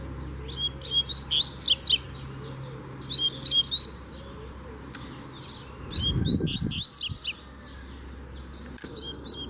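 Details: Free-living double-collared seedeater challenging a caged bird during a training session: bursts of fast, sharp chirped and trilled notes in clusters of about a second, with gaps and some low rumbling noise.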